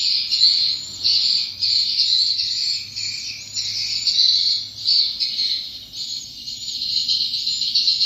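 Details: Dense, shrill swiftlet twittering comes in surging phrases of roughly one second, separated by brief dips. A low hum lies beneath.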